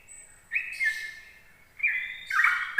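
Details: Sooty-headed bulbul singing in the morning, a song used to lure other bulbuls: two short bursts of slurred, falling whistled notes separated by a pause, over a faint background hiss.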